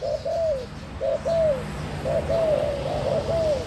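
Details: Spotted dove cooing in short groups, a quick double note followed by a longer slurred coo that falls away, repeated about every second.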